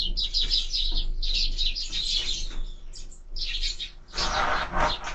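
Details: Sparrows at a bird feeder giving rapid, overlapping high chirps in dense bursts, with short pauses between volleys and a low background hum.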